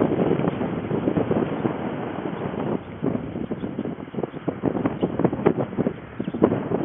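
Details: Steady wind buffeting the microphone with rustling and low rumbling, and no animal voice heard.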